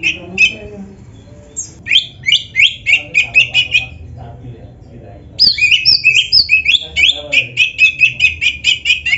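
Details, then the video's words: Oriental magpie-robin singing with rich fills, played to get other birds singing: clusters of quick repeated chirps and whistles, a brief lull, then an energetic stretch of fast, evenly spaced notes. "MASTERAN KACER GACOR ISIAN MEWAH !! - Suara Burung Kacer yang cocok untuk Latihan"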